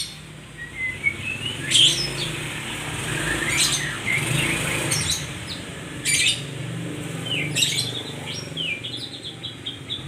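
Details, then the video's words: White-rumped shama song meant as therapy for kept birds: clear whistled notes and quick rising and falling sweeps, spaced a second or two apart, over a steady low rumble of passing traffic. "Terapi Burung Murai"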